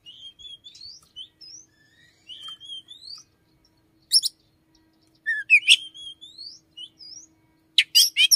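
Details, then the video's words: Oriental magpie-robin singing in the morning, its song said to include notes of the red-headed flowerpecker; varied clear whistled phrases, some rising slides, broken by loud sharp buzzy bursts and short pauses. "chích chòe than hót buổi sáng"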